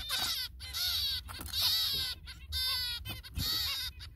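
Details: Zebra finch parents feeding their chicks; harsh, buzzy, harmonic-rich calls come in steady half-second bursts, roughly one per second, with brief silent gaps between them and a faint low rumble underneath.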